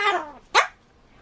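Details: A pet Solomons (Ducorps's) cockatoo in its daily talking at home: a voice-like utterance slides downward over a few tenths of a second, then a short harsh squawk rises sharply; a quiet room is behind.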